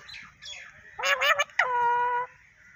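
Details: Parrot utters a few quick, gurgling word-like syllables, then holds a single steady whistled tone for about half a second.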